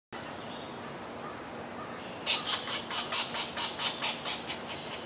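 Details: A pileated woodpecker at its nest gives a rapid series of about ten harsh, buzzy notes, roughly three per second, after a quiet start with soft background hiss.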